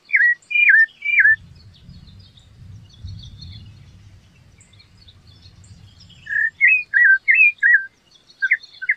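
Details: A rufous-bellied thrush sings a few sharp whistled slurs, falls silent during low rumbling background noise, then resumes with a rapid series of twisting whistles.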